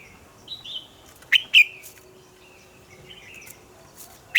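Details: Red-whiskered bulbul in a morning training song of wild-forest double notes: soft whistled slurs with a few sharp, bright chirps scattered between them.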